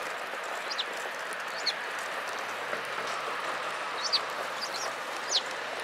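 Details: Several sparrows gathering at food at a Tenmangū shrine on 28 February 2017; brief high, thin chirps sound about five times, scattered and irregular, over a steady broad rustling hiss.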